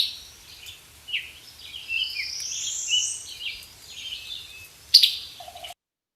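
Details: A male Summer Tanager gives chip notes and then slurred, whistled phrases that rise and fall at a high pitch in a loose melodious run, ending with a sharp click over a faint low hum.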